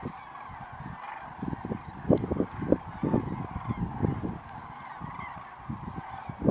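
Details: Large flock of common cranes rising from Lac du Der at dawn on 19 November 2016: a dense chorus of overlapping, honking trumpet calls from many birds. A steady low rumble of wings and background noise runs underneath.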